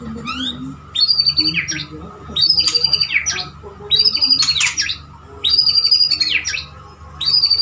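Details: Male white-rumped shama, kept as a pet, singing to court a female: loud, high, rich whistled phrases with sweeping slurred notes, given in bursts about every one and a half seconds, with a steady faint background hum.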